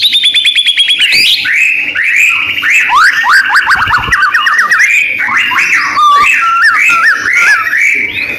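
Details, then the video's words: Murai batu from Medan, a white-rumped shama in full, intense song and ready to be hung for a singing contest: a loud, rich run of varied whistles, rising slurs and rapid trills, with a few high repeated notes at the start. "murai batu gacor siap di gantang"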